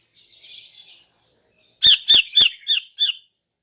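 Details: Morning song of a female greater green leafbird, meant to lure males: a faint high buzzy warble, then five loud raspy chirps spaced about a third of a second apart with clicking onsets.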